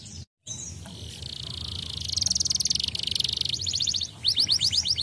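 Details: Singing canary, used to stimulate other canaries: a sustained buzzy trill swells in loudness, then breaks into fast rolled phrases of rising notes, with a steady low rumble in the background.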